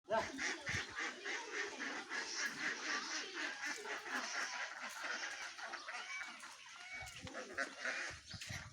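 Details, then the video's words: A large flock of ducks calling together: dense, overlapping harsh quacks and honking notes crowd the whole clip with no pause, a continuous noisy chorus with a few higher squeaky calls standing out near the end. "real sound of the duck"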